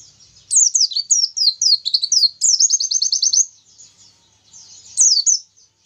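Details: Oriental white-eye song in the 'tembakan Nobita' style, said to provoke rival birds: a string of bright falling whistles leading into a short fast trill, a quiet gap, then another sharp slurred phrase.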